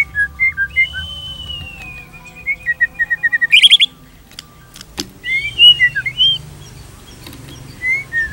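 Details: Singing white-rumped shama, pancingan material from Indonesia: a long sustained whistle sliding slowly downward, a quick rising rattle, a sharp click, then scattered soft whistled notes.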